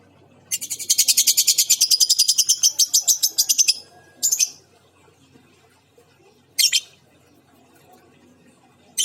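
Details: Female lovebird with an injured beak giving a fast run of high, squeaky chirps for about three seconds, roughly three per second. Two brief separate squeaks follow after pauses, with a quiet background.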